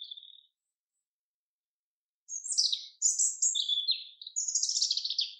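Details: In a forest, a common chaffinch gives a short high note, then after a pause a loud, rapid phrase of bright notes that rise and fall, closing with a fast descending run.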